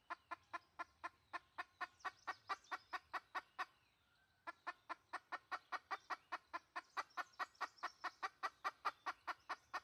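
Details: Red junglefowl hen, its call used to lure wild birds, 2020: rapid, even clucking at about two per second, a brief pause midway, then the same clucks resume over faint background noise.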